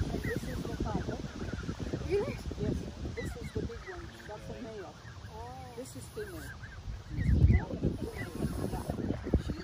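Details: A flock of Canada geese at a park hiss at and confront a chihuahua, giving a run of short, nasal, rising-and-falling honks, some quickly repeated, over a low rumble with people talking in the background.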